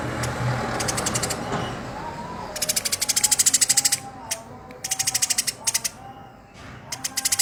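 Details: Eurasian tree sparrow, tame and constantly calling, gives harsh rapid-fire chatters: bursts of fast dry ticks in short strings separated by pauses, over soft low humming and faint whistles.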